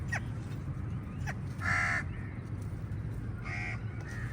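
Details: Crows fighting eagles for a meal give a few harsh, drawn-out caws, one loud and one softer, with scattered short calls against a steady low background hum.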